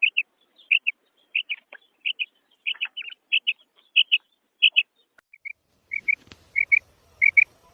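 Female quail giving short, high, paired chirps, repeated in quick bursts about every half second; a brief knock or thump sounds near the end.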